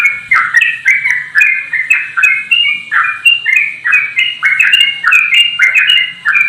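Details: Straw-headed bulbul singing in a fast, continuous 'ropel' style while flapping its wings: loud, rich, bubbling warbled phrases, a new phrase about every half second, with faint sharp high clicks and chirps behind.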